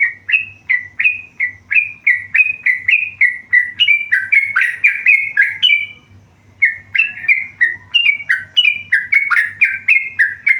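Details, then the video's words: Tame yellow-vented bulbul in full, lively song: long chattering strings of warbled, bubbly notes rising and falling about three times a second, with a brief break midway before the song resumes; steady low hum in the background. "burung trucukan gacor jinak"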